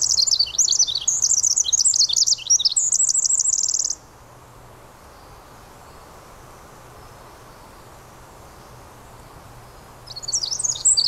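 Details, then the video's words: Pacific wren singing in the rain in the Squamish River Estuary: a long, very high, tumbling cascade of rapid tinkling trills and warbles lasting about four seconds. A new burst starts after a pause, with steady rain hiss throughout. "Pacific Wren Singing"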